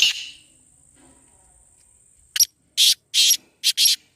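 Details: Black francolin, calling recording for luring birds or getting a kept francolin to call. A fading rasp gives way to quiet, then a tight grating phrase: a short tick, two longer buzzy notes, a quick short note and a final long buzz.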